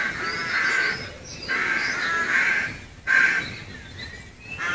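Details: Rooks calling from trees outside Gaia House in Devon, recorded from a footpath: harsh, hoarse caws in three drawn-out bursts about a second apart, with quieter croaks between and faint background calls.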